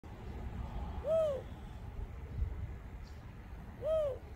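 A Mourning Dove gives two soft, low coos about three seconds apart, each note swelling up and sliding down, over a steady low rumble.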